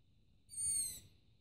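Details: Long-eared owl chick sitting on a roof at night, calling for food. A single high, squeaky, slightly descending wheeze of about half a second, with strong overtones, over low background rumble.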